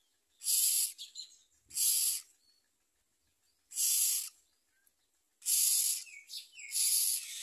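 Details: Common myna nestlings with their mother at the nest utter broad, wheezy hisses in five separate bursts, with faint soft squeaks between some of them.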